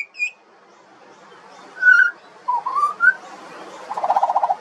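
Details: A juvenile pied butcherbird (Cracticus nigrogularis) sings a few clear, fluted whistles with a rising slur, then ends with a quick run of about eight lower piping notes.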